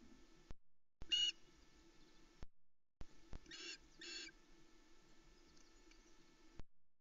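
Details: Osprey chicks (JJ6, JJ7, JJ8), alone on the Loch Arkaig nest, give three bursts of high, harsh excited chirps over a low hum as the male arrives with a trout at 05:42, 16 July 2020.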